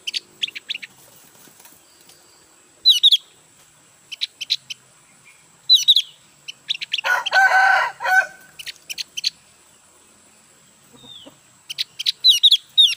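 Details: Javan grey-throated white-eye, just bought and not yet in full song, makes sparse clusters of high sharp chirps over thirteen seconds, interrupted midway by a burst of broad rustling noise.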